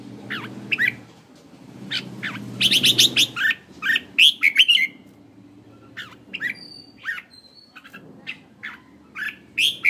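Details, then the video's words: Caged red-whiskered bulbul used as a decoy in Hanoi, Vietnam: series of sharp chirps and quick fluty phrases, a fast run of repeated notes early on, low hum underneath. "chào mào mồi"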